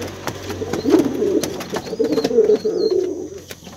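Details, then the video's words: Brown male pigeon cooing for its mate: a low murmuring coo over a few seconds, softer and mixed with clicks, a faint high chirp heard midway. "SUARA MERPATI MEMANGGIL BETINA"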